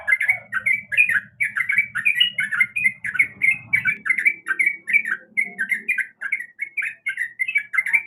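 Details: Female sooty-headed bulbul calling to attract a male, giving steady, rapid chirps in rolling sequences. A low buzzing hum sounds beneath the first half.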